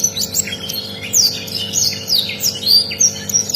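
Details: Canary tutor song from a rare bird: bright high whistled slurs and chirps in a steady, quick sequence.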